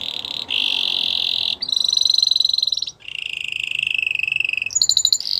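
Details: Belgian-style canary song made of sustained, bright, ringing trills held for over a second each, switching between a higher and a lower pitched tour, ending in a quick sharp chirp; a faint low hiss underneath.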